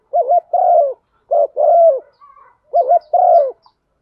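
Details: A female spotted dove coos to stimulate a male, a call used to lure wild birds. Soft, low, mellow coos come in three pairs: a short wavering note, then a longer drawn-out one. A faint thin note sits between pairs.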